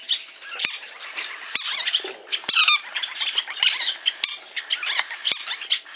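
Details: Green-cheeked conures, hand-tame birds at a pet shop in Fukuoka, Japan, give harsh, high squawks and chattering notes in irregular bursts, with several birds calling over one another.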